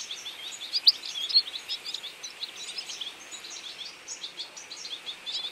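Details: European goldfinch feeding flock in autumn; dense overlapping high twittering and tinkling chirps from many birds, fairly steady chatter with brief louder notes.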